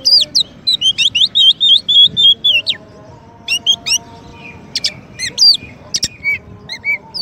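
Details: White-rumped shama, a champion singer used as a master song for training, pours out a fast run of repeated whistled notes, then clicks and sharp high calls, with one sudden loud tap.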